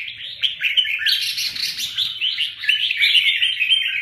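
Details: Red-whiskered bulbuls of the Huế type, 'bướm' and 'tê giác', clash in a fight, giving an unbroken stream of rasping, twittering chatter with quick up-and-down notes and a faint low hum behind.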